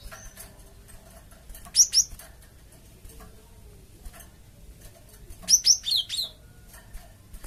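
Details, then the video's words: Cinereous tit (gelatik batu) calling to prompt a flock to respond: a pair of sharp, high chirps, a few seconds of quiet with faint clicks, then a quicker run of four high chirps, the last ones lower. "BURUNG GELATIK OMBYOKAN PUN LANGSUNG NYAUT DENGAR INI PANCINGAN BURUNG GELATIK BAHAN"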